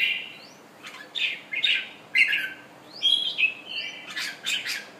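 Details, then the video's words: Pet Thailand red-whiskered bulbul after completing its moult gives short, lively warbled phrases, whistled and slurred with brief upward sweeps, several in quick succession over a quiet background. "Nice Thailand jambul display"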